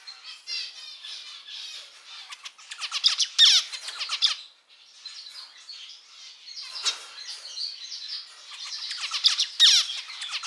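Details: A pet male zebra finch delivers bursts of buzzy, stacked nasal notes and quick descending chirps, louder around three to four seconds, a brief lull, then more rasping phrases toward the end.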